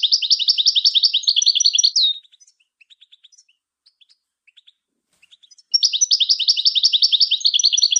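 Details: Goldfinch song for training songbirds: a dense, high, jangling twitter for two seconds that ends in a short slurred note, then soft sparse clicks, and the rapid twitter resumes after about three and a half seconds.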